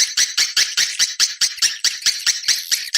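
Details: Swiftlet external sound: a regular series of short, harsh, high chirps, each pulse separated by brief gaps, repeated more than twice per second.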